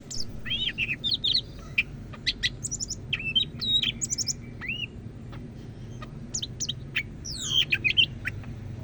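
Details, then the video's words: Greater green leafbird from Medan, North Sumatra, a kept songbird singing loudly and often: a rapid, varied run of high whistles, sharp chirps and short slurred notes, with a steady low hum beneath. "Burung Cak Ijo Medan Gacor"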